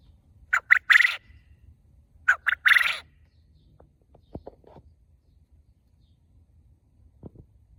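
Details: Loud farm quail in a cage repeating its call twice: each phrase has two sharp staccato notes and a longer rasping buzz, followed by quiet with a few clicks and knocks.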